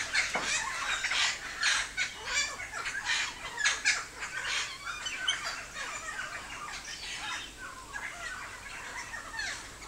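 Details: Helmeted friarbird singing a series of harsh, raucous, squawking notes in quick irregular bursts, over a busy background of other bird calls.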